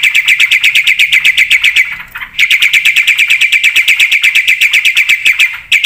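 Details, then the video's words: Javan pied starling singing energetically with a rich mix of phrases: a long, steady stream of rapid ringing chatter notes, nearly three per second, broken by one short pause midway. "pakai suara burung jalak putih gacor full isian buat pancingan dan masteran pasti nyaut"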